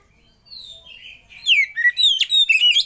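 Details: Oriental magpie-robin master and lure song to get other birds singing; soft thin whistles open, then a loud burst of varied slurred whistles with rising and falling notes and sharp sweeps.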